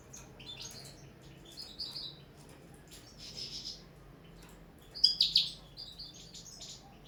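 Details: First training session of a caged common linnet singing on the table: quiet intermittent twitters and buzzy trills, then a loud burst of sharp chirps and a bright, trilled phrase.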